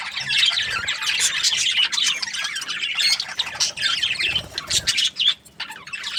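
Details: Australian budgies keep up loud, busy chirping of rasping twitters and sharp squeaks, the chatter dipping briefly now and then before resuming.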